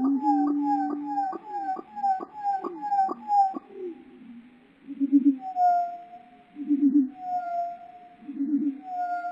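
A Lark bunting song slowed to a deep pitch: a fast run of about eight ticking notes, then low warbled phrases alternating with long steady whistles.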